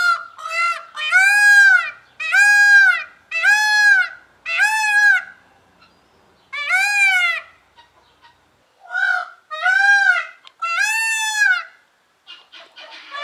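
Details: Indian blue peacock screaming loudly: a long series of harsh, arched, honking wails repeated roughly once a second in irregular bursts, some brief gaps between groups.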